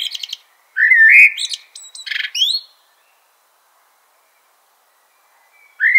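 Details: A common blackbird sings a single fluted, warbling phrase with scratchy high chatter woven through and a rising squeak at the end, then silence until a faint new note begins.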